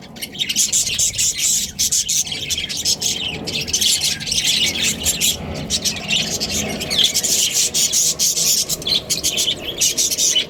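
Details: A breeding pair of Australian budgerigars keeps up harsh, squawky, high chatter without a break, over a faint broad background hiss.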